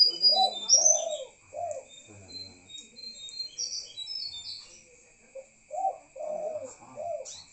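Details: Spotted dove calling at night: low, husky three-note coo phrases at the start and again after a quiet gap. Thin high chirps and a constant whine are in the background.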